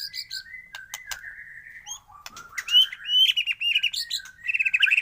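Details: White-rumped shama song in a morning recording meant to prompt other shamas to sing: a busy run of varied chirps and short whistles, mostly high-pitched, growing louder toward the end.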